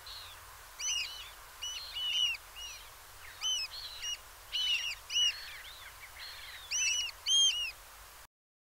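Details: Eurasian oystercatchers at Peenemünde calling in loud, ringing piping bursts: clusters of quick arched notes about every second, sometimes paired or tripled, with a low steady hum beneath.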